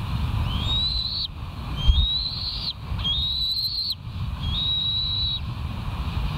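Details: Bald eagle at the West End nest on a live cam, morning of 08/17/2023: four high, clear whistled notes, each sliding upward and held briefly, spaced roughly a second apart, over steady low-pitched rumbling noise.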